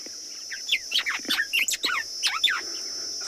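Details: White-browed Sparrow-Weaver sitting inside its nest at Tswalu Kalahari Reserve, South Africa, on a 28 December sunset drive: a quick run of liquid, slurred whistles and chirps, rising and falling, over a steady high insect drone.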